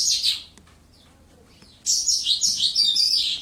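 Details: Lark in a one-metre-high cage: one brief high twitter, a quiet gap with faint clicks, then a fast continuous string of shrill varied notes.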